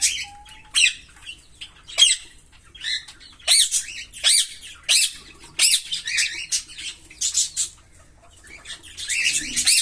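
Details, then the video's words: Green Fischer's lovebird pair singing: sharp, squeaky chirps in a rapid rhythm, clustered in bursts of several notes with brief pauses between, high-pitched and scratchy, in a quiet room. "Lovebird Singing & Chirping Sounds"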